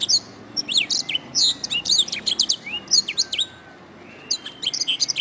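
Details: A canary sings a master song for training: a high, fast, varied song of bright trills, rolling chatter and sharp whistled notes, with one brief pause near the end.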